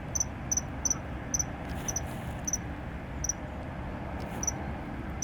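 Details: Common kingfisher in the Netherlands gives an unusual call of shrill, high, thin piping notes in short, uneven bursts over a steady low rush of water or wind.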